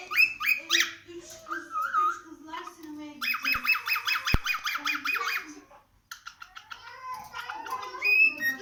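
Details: Cockatiel indoors giving varied whistled and chattering notes, with a quick run of repeated buzzy rising notes in the middle, then a short pause followed by further sharp chirps and warbling phrases.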